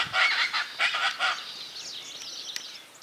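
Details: Chaco chachalaca (Ortalis canicollis), one unbothered by observers, gives loud, harsh, raucous calls in quick bursts over the first second and a half, then thin high chirps of small birds; Córdoba, Argentina, 2022.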